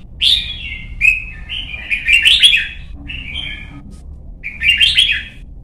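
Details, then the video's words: Young red-whiskered bulbul trained for competition singing delivers a run of warbled, chattering whistled phrases, rising and falling, several linked notes in quick succession with brief pauses, over faint low hum. "CHÀO MÀO | Luyện giọng má trắng chim non - Thúc chim hót hay hót đấu"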